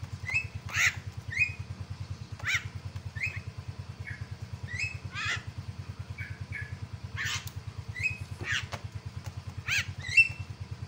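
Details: Myna singing to provoke a rival into calling: short whistled and harsh notes, some rising, given every second or so over a steady low engine-like drone.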